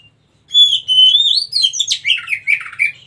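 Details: Wild magpie-robin, described as a white-breasted kacer, singing loud whistled notes. One note holds steady, then slurred rising and falling phrases follow in a rapid, varied jumble of chirps over a faint low hum.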